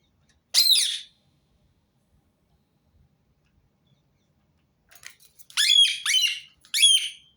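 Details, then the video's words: Rose-ringed parakeet calling, used to prompt other birds to sing: one harsh screech, a pause, then a fast cluster of three loud, rough screeches near the end in an otherwise quiet room. "أقوى صوت ببغاء درة متكرر | سيجعل طيورك تغرد دون توقف"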